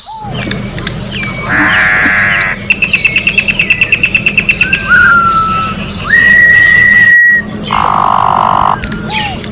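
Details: Orange-backed troupial in nature delivering a varied song: a harsh buzzy burst, a rapid series of about fifteen clipped repeated notes, a falling whistle, a long clear level whistle, then another coarse buzzy note, over a low background hum.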